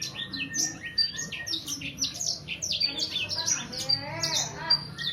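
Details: Sangihe hanging parrot, a juvenile around three months old, twittering in fast high chirps and slurred notes without pause, with a brief harsher, buzzy rattle near the end.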